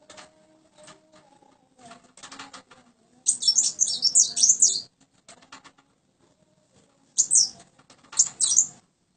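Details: Common Iora, tame and an eager singer, gives a long burst of high, squeaky, twittering whistles, then two shorter bursts later, with scattered clicks and taps in between.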